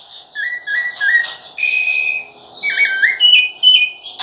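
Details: Whistled rufous-bellied thrush song made of a few flat, fluty notes followed by a quick downward-bending phrase. A continuous hum runs in the background.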